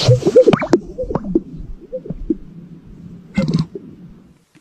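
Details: Greater sage-grouse (Centrocercus urophasianus) giving low, bubbling gulps and two quick hollow pops, then a brief rushing swish, fading to quiet within five seconds.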